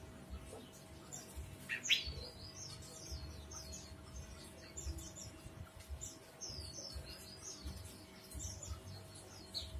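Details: Ashy bulbul (Hemixos flavala), song.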